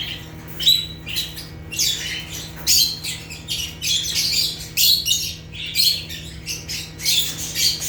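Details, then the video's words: African lovebirds (Agapornis) chirping naturally: rapid series of shrill, raspy high chirps and squawks, some with thin whistled tones, repeated in quick bursts about every half second, over a low hum. "Rare African Lovebirds (Agapornis) | Natural Chirping Sounds"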